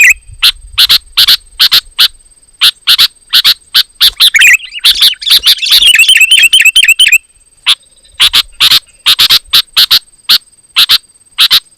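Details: Sooty-headed bulbul singing loud and dense, meant to provoke rival bulbuls into singing: rapid series of short sharp chirps, broken by a fast warbling burst in the middle, then more evenly spaced chirps. A steady high electronic tone sounds throughout.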